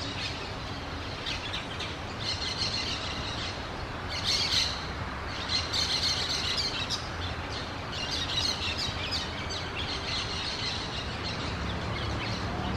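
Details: A group of orange-chinned parakeets chatters with rapid, shrill, irregular chirps that swell around the middle and fade toward the end, set against steady low background rumble.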